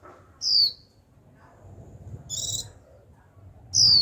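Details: Young caged female white-eye giving her high, downward-sliding 'chíu' whistles at the start and end, a call meant to stimulate wild-caught birds to sing; a brief buzzy, rasping burst sounds between them.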